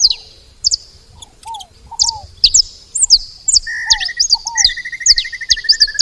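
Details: Saffron finch feeding at a bait spot: high slurred chirps grow busier over six seconds, joined by low arched whistles and two rapid mid-pitched trills near the end.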